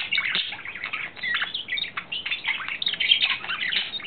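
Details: Courting male budgerigar, April 2009, keeps up a steady, raspy chatter of twittering notes, clicks and thin whistles without a real pause.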